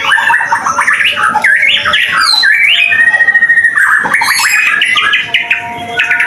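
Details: Lure song of a White-rumped shama, meant to get other shamas singing quickly, tied to Kemayoran. Dense, varied outpouring of sweeping whistles, chattering bursts and a fast trilled stretch, with a brief pause before more looping phrases.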